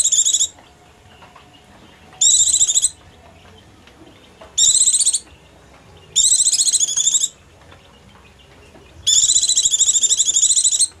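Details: Hungry or frightened Oriental white-eye, a call meant to draw small birds closer: five separate bursts of fast, shrill, scratchy chatter, each under a second long, spaced by quiet gaps of one to two seconds.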